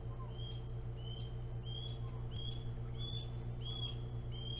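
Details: Ospreys at Hog Island on 9 April 2017 around 09:12, as one bird flies in and out. A steady run of short whistled chirps repeats about every half second over a constant low hum.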